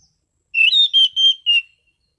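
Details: Relaxed, clear ngeplong singing from an Orange-sided thrush: five bright whistled notes in quick succession, the first sliding upward, the rest level and evenly spaced, after half a second of quiet.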